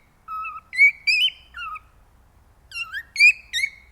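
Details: Male cockatiel singing to stimulate mating: clear whistled phrases with rising and falling notes, two bursts of three or four whistles separated by a short pause, bright and loud against a quiet background.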